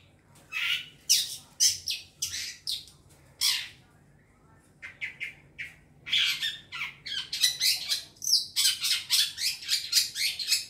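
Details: Young wild long-tailed shrike giving spaced rasping squawks, then after a pause a rapid, steady burst of grating notes that grows denser toward the end; a lure recording.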